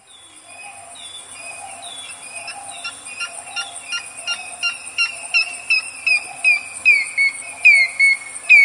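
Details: African grey hornbill calling close up, a series of thin whistled notes that slur downward, speeding up and growing louder over about nine seconds; steady high insect buzz throughout and soft low cooing from a vinaceous dove.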